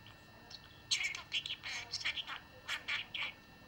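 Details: A talking budgerigar reciting rhymes and prayers chatters in a fast, high, buzzy run of word-like syllables, a tiny scratchy voice imitating human speech for about three seconds.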